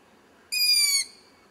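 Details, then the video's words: Owl chick calling from a tree about 100 metres away, recorded in low light: a single loud, harsh, hissing scream lasting about half a second, raspy and rich in overtones, sliding slightly downward at the end, against a quiet background. "Owl chick makes a lot of noise - Uilskuiken maakt herrie"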